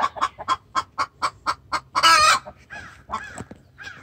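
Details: Extremely vocal hen calling the rooster in distress: steady rapid clucks about two per second, rising into a loud raspy squawk, then softer broken notes.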